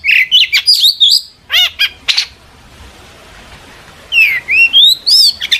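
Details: Long-tailed shrike song meant to provoke a reply from other shrikes; quick high chirps and harsh notes, a two-second gap, then rising whistled slurs and a final burst of chirping.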